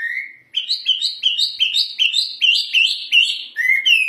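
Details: ['Loud, ringing hwamei song: one long whistle, then a fast series of about ten similar upward-sweeping whistled notes repeated evenly, ending with two lower slurred notes.']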